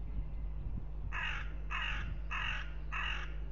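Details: Hooded crows fighting at a goshawk nest in Riga, Latvia, on 10 April 2021, picked up by a live nest camera; four harsh, hoarse caws in an even series about every 0.6 seconds, with low rumbling background noise.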